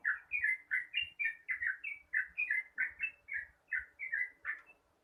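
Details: Yellow-vented bulbul's long rapid song in the morning, used as a lure to get other birds singing: a steady, continuous string of short bubbly warbled notes, roughly four per second, clear with little background noise.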